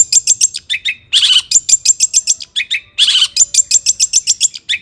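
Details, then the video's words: Agitated long-tailed shrike song for provoking other shrikes; fast trains of high sharp chips broken by two loud harsh rasping bursts, steady and rapid throughout. "burung cendet gacor EMOSI AMPUH untuk PANCINGAN CENDET AGAR BUNYI"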